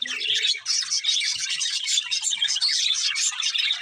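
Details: Several budgies chattering at once, continuous bright twittering and warbling with quick chirps layered over each other, faint low thumps near the beginning.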